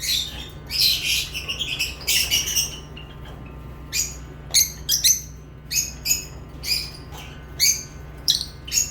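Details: Lovebird chirping: harsh high chattering at first, then evenly spaced sharp shrill chirps, singles and doubles, roughly every half second, over a faint low hum.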